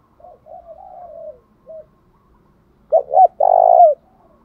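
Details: Spotted dove call used to provoke singing: soft low cooing phrases, then two short hooked notes and a longer rolling coo, all low-pitched and clean against silence.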